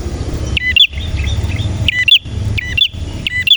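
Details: Singing male red prinia in the 'nembak' style: quick, piercing chirp phrases about every half to one second over a humming low background.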